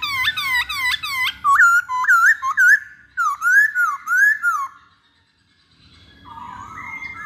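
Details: Masked laughingthrush singing a lure song: rapid series of loud, ringing whistled notes that swoop down then up, repeated in quick groups, a short pause, then soft rising whistles.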